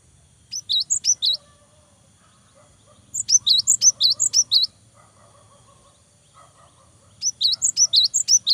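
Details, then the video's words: Cinereous tit in energetic full song, used to provoke rivals and stimulate young birds to sing: three bursts of high, sharp chirps alternating between higher and lower notes, each burst about a second long with silent gaps between. "GELATIK BATU GACOR BIKIN LAWAN EMOSI !!! LANGSUNG NYAUT !!"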